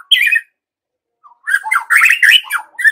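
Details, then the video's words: White-rumped shama lure song for provoking young forest birds: a single slurred phrase, a short gap, then a dense burst of harsh chattering and whistled notes. "Pancingan Murai Batu MUDA HUTAN dan PASTOL agar GACOR NGEPLONG"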